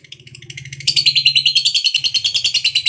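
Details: Lovebird of the fighter type giving its long 'ngekek panjang' chatter, used as a lure to set other lovebirds singing. Soft chirps build into a loud, fast, harsh rattling trill, about seven pulses a second, over a low steady hum.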